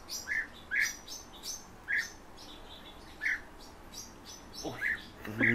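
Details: European bee-eaters, kept birds, calling: short rolling chirps repeated about every second, each a burred note with bright overtones, ending with a louder, lower-pitched burst; faint background hiss.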